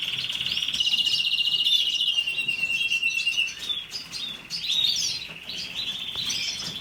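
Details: Canary song opening with a fast, even rattling trill of about two seconds, then varied chirps, twittering phrases and shorter trills, bright and high-pitched throughout, with brief dips in loudness; faint background hiss only.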